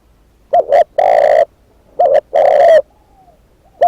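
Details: Decoy spotted dove calling: two complete phrases of a short double-pulsed coo leading into a longer sustained coo, plus the start of a third phrase. A faint soft whistle sounds in a pause.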